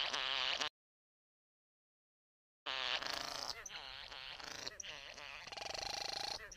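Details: Satin bowerbird courting a female at the bower: dense buzzy, whirring and churring notes with harmonic rattles, broken by a two-second silence, then resuming as a fast, uneven run of mechanical-sounding buzzes.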